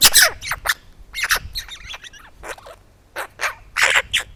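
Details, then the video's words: Close-up Eurasian magpie by its food, wary of a nearby camera, barking like a small dog: loud rasping bursts mixed with squeaky sliding notes, in irregular clusters with a short pause midway. "Pie curieuse - Magpie close-up - WITH SOUND !"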